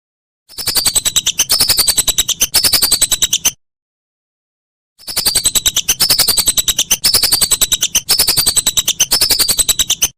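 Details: Whistling duck calls recorded as a master for training songbirds: two long stretches of rapid, piercing chirping and downward-gliding whistles, split by about one and a half seconds of silence.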